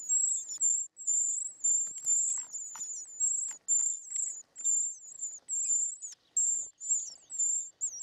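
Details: Short-toed treecreeper nestlings fed in their nest, calling with a busy stream of very high, sibilant, slightly wavering notes, closely spaced, with scattered faint scratchy rustles.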